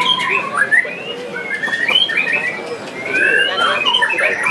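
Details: Contest song of a white-rumped shama at the Piala Candi Prambanan 2 competition: varied rising and falling whistles and slurred phrases, fairly continuous, over a murmur of crowd voices.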